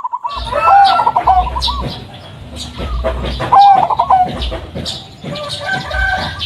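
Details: Local Blorok Madu zebra dove singing to lure other doves; two loud rolling, trilled coo phrases about three seconds apart, with fainter coos and clicking sounds around them.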